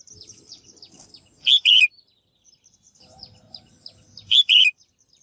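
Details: Female bird's stimulating call for male singing, repeated twice about three seconds apart as crisp double chirps, short then longer and falling, with faint high twittering and low rumble around them.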